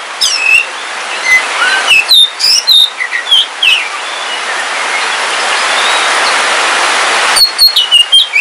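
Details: Oriental magpie-robin of the Kalimantan black form, a caged pet, singing in the rain: varied whistles and chirps, then several seconds of rain noise only, and a closing run of sharp notes.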